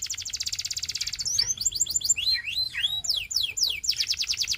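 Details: Belgian canary opens with a fast, even high trill, breaks into looping up-and-down whistled swoops, then returns to a rapid rolling trill.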